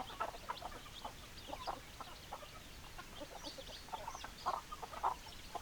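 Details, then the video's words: Hens clucking in a group, about a hundred short clucks a minute at an uneven rhythm, with faint higher squawks in the middle and louder clucks toward the end. "Chicken Sounds Noises Hens Clucking Roosters Crowing"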